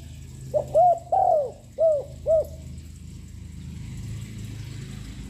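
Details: Continuous cooing from a young, loud spotted dove meant to stir up other birds: a brisk five-note phrase of mellow arched coos, then a steady low background rumble.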